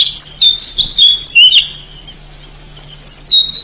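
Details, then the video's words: Wild oriental magpie-robin singing vigorously in forest: high, sweet whistled phrases with quick slurs for under two seconds, a pause with only a low steady hum, then a brief whistle resumes. "SUARA BURUNG KACER ASLI HUTAN GACOR BANGET"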